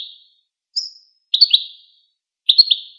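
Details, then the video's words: Goldfinch song: a high thin whistle followed by two twittering, slightly buzzy phrases of quick doubled notes, closely spaced, with no background noise. "Empowering Songs of the Goldfinch"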